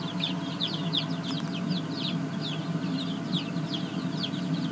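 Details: A group of young laying-breed chicks in a brooder coop chirping busily: quick high piping notes, each sliding downward, tumbling over one another against a droning low background hum.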